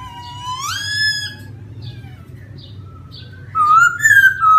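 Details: Wild laughingthrush giving a rising harmonic whistle, a few soft faint notes, then a long loud level whistle near the end, over a low constant hum.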